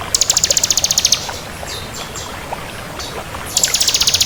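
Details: Bar-winged prinia of the crystal variety in lively song: a fast, high, ticking trill of about a second, a pause with faint scattered notes, then the trill starting again, over constant hiss.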